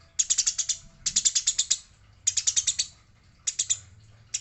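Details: Eurasian tree sparrow fighting: harsh, dry, rattling chirps in four rapid bursts of six to eight notes, with short pauses between them and a faint low hum beneath.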